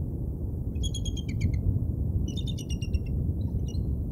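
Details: Bald eagles on the Decorah North live nest cam, late night of 29 August 2022; two rapid runs of thin, high staccato piping notes followed by a short weaker burst, with constant low-pitched rumble beneath.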